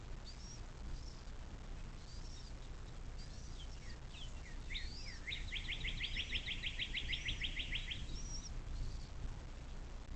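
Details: Nest-cam recording of a bald eagle by the Little Miami National Wild and Scenic River, Ohio, 06.04.2024, 17:23: a quick series of a dozen or more shrill chattering notes, with scattered high whistled phrases from songbirds before and after.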